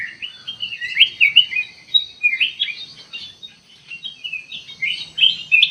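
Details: Ruby-throated bulbul lure song: steady flow of lively chirps and whistled slurs at a brisk pace, briefly quieter just past the middle before resuming with bright phrases.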